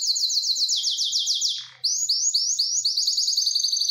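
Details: Mating-eager canary delivering rapid trills: about a dozen sweeping notes per second, each falling in pitch, a short low rasp, then a renewed series of upward-curving notes.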